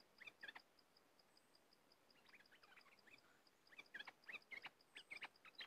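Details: Cream-vented bulbul singing: scattered short chirping and chattering notes, sparse at first, then a denser burst of quick rising and falling notes near the end, over a steady row of faint regular ticks.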